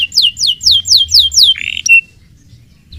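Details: Canary song phrase: six evenly spaced, loud downslurred whistles, followed by a short harsh buzzy note, a sharp click-like note and then near silence.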